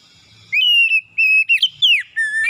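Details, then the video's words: Oriental magpie-robin's morning lure song for birds that rarely sing. After brief soft chatter, clear sustained whistles follow, then a wavering note, a falling slur and a long lower whistle ending with a lift. "PANCINGAN PAGI KACER SUSAH BUNYI LANGSUNG GACOR NGOTOT BONGKAR ISIAN"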